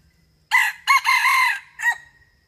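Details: Male red junglefowl crowing in the 'rung ực' style, a recording used to lure wild junglefowl into traps: a short opening note, then a longer sustained harsh middle phrase and a brief drawn-out final note, against a quiet background.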